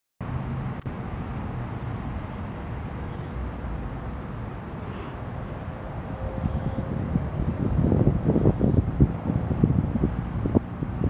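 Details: Northern mockingbird fledgling being fed by a parent, recorded 14 July 2023: thin, very high squeaky notes given in about six short bursts over eleven seconds, against steady low rumbling background noise that grows louder toward the end.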